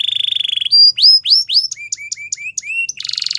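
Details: Belgian canary morning song: fast pulsed trill, then swelling rising whistles, short chopped notes and lower slurred tones, finishing with a dense buzzy roll.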